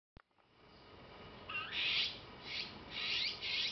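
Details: Juvenile azure-winged magpie being fed by a parent: after two faint rising notes, a run of harsh, hissing, buzzy begging rasps, each about half a second long, repeated in quick succession.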